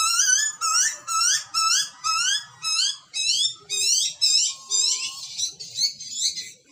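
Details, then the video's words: Baby butcherbird in the wild in Australia screaming for food during feeding by its parents: a steady run of about twelve rasping, upward-sweeping squeals, each under half a second, with a soft low whistle partway through. "Baby bird screaming for food ? Cute Butcherbirds chirping & feeding"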